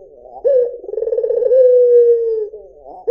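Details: Single drawn-out coo of a white Barbary dove: a sharp start, a quick vibrating roll, then an extended level tone easing downward. The next call just begins at the end.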